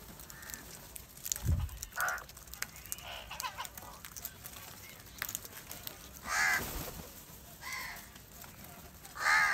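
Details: A large crowd of crows drawn together by salty food; scattered harsh caws of varying loudness break through a clicking, rustling background, some close, some distant.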